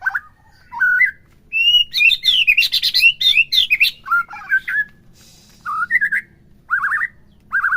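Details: Captive white-rumped shama song for provoking bongkar singing, played morning through midday: mellow, lower whistled phrases open and close it, separated by pauses, with a dense middle burst of sharp, chattering, high notes.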